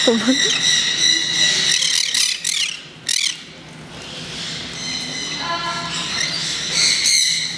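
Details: Green-cheeked conures (Pyrrhura molinae) at Kakegawa Kachoen bird park, newly released for the first time into an open aviary zone: harsh, high squawks in quick bursts, then softer, thinner chattering, with a brief low voice at the start.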